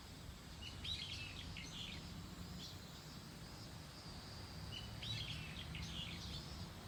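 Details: Bird calling outdoors: two brief clusters of high, quick chirping notes, separated by a pause of about four seconds, over a constant low rumble of background noise.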